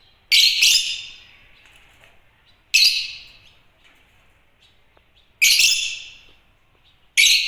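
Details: Shrill chirps from African lovebirds of the genus Agapornis: a quick double chirp, then single harsh bursts roughly every two and a half seconds, each dying away in a ringing tail, against a quiet background.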